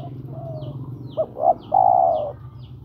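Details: Spotted dove calling a female, used as a lure for birds: two short rising coos followed by a long, steady, mellow coo, over a constant low hum.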